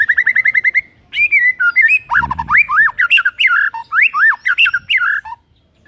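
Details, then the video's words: Morning song of a white-rumped shama used to provoke rival shamas to sing: a quick series of repeated notes, then loud rich whistled phrases rising and falling, with a brief low thump. "BIKIN MURAI LAWAN AUTO NARUNG & GACOR SEKETIKA"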